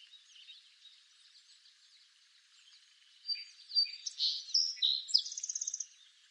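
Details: After quiet background, a song sparrow of eastern North America sings clear introductory notes and buzzy phrases, closing with a fast, even trill of about ten high repeated notes.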